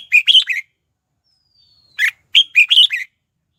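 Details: Red-whiskered bulbul lure song meant to call wild birds to a fight: two rapid phrases of bright, slurred whistles, the second of five or six notes, split by a short quiet gap.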